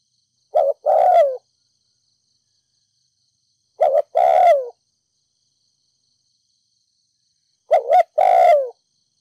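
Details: Urging 'thúc gù' coos of a Ninh Thuận decoy spotted dove, 'đồng pha thổ' voice, meant to stir up decoy doves. Three phrases at about three-second intervals, each a short double hoot and a longer downward-sliding coo, in clean silence.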